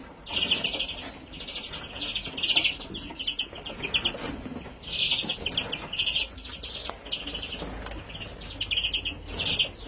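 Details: Young European greenfinches, recorded in 2017, give harsh, buzzy, high-pitched calls in bursts of about half a second, repeated every second or two, over soft background rustling.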